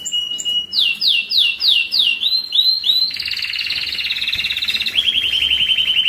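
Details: Excited canary singing to prepare birds for breeding: a series of about eight swooping descending whistles, then dense fast trills stepping down in pitch.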